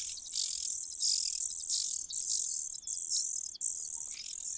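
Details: Cuckoo in a nest, getting ahead at feeding: a near-continuous, very high hissing wheeze broken into long pulses by brief dips.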